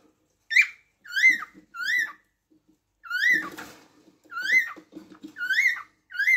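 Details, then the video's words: Repeated cockatiel chirps, ringing and harmonic-rich, each rising and falling, about ten notes in six seconds over soft low rustling and murmuring midway. "تغريد طائر الكوكتيل"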